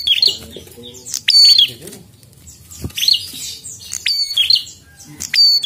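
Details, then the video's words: Energetic, persistent prinia song of high, harsh chirps and bright ringing notes given in clustered bursts about every second or two, with quiet gaps between, over faint low background voices. "Prenjak Gacor Ngotot"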